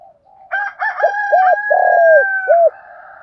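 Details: Spotted dove decoy calling in the morning to attract males, its series of hollow coos and a long falling coo overlapped by a loud rooster crowing through the first half.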